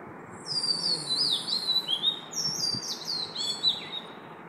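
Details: Oriental magpie-robin singing at 5 am: a run of clear, high whistled phrases, some sliding down and others rising, with quick varied notes coming in close succession over a faint background hiss.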